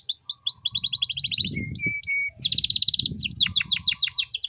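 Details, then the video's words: Canary song used as a master recording for training young songbirds: fast high trills, buzzy rattles and steady whistled notes, then rapid falling sweeps, with a soft low hum underneath. "Masteran Kenari Gacor Cengkok Mewah untuk Burung Bahan"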